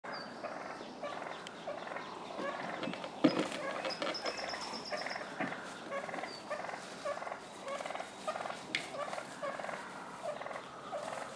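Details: Wild turkey toms in a street fight spilling into a front yard in Willits, Mendocino County, California, other toms worked up. Rough pulsed purring bursts repeat about every second, with a thin high whistle from another bird.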